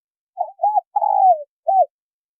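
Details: Female spotted dove calling to stimulate a male to coo: one soft phrase of two short hooting coos, a longer purring coo that slides downward, then a single short closing coo, with a quiet, clean background.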